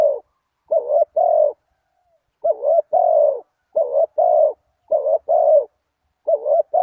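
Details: Spotted dove cooing, used to lure wild doves: five pairs of low, rounded coos, the second note of each pair longer and fuller, separated by brief pauses in a quiet setting.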